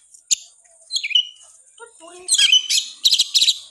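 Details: Oriental magpie-robin (kacer) in persistent gacor ngotot singing, used to rouse reluctant birds. Sparse, high whistled notes and sharp chirps with pauses, then a dense burst of bright, buzzy phrases near the end.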